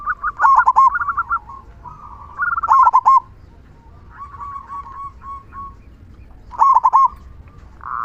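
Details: Strong-voiced local zebra dove giving its loud "kung" song to encourage other doves to sing. Three loud bursts of rapid, bubbling coos are separated by quieter, drawn-out cooing phrases.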